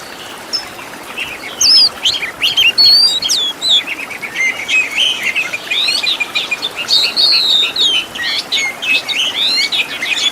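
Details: Oriental magpie-robin master song for training caged birds, full of varied fill-in phrases: rapid high whistles and chattering notes, some sliding up and down, delivered in dense bursts separated by short pauses.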